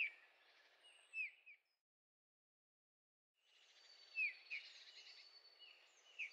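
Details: Eurasian bullfinch (Pyrrhula pyrrhula) calling in Heringhausen, Sauerland, Germany, on 15 August 2013: a few soft, short piping whistles, each slightly falling, spaced irregularly over steady background hiss.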